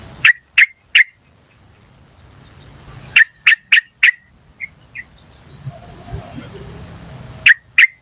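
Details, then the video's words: Wild yellow-vented bulbul calling "cuk cuk cuk" for luring: three quick sharp notes, a run of four after a pause, and a final pair, with a thin high tone and quiet rustle between. "PANCINGAN TRUCUKAN BAHAN Asli Suara Alam Liar CUK CUK CUK memanggil"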